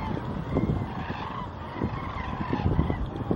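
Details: Common cranes massed at a winter resting site in the Wetterau bird reserves near Utphe, Germany, on a clear late-December day in 2021; a continuous chorus of hoarse, trumpeting calls from many birds overlaps into a rough, churning din.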